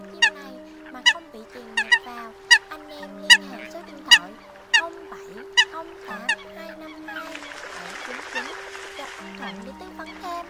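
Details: Eurasian coot calling alone, separated from its flock, used to lure migrating birds for night netting in 2022: sharp, short barking notes repeated roughly once a second over steady humming tones, ending in a burst of hissing noise.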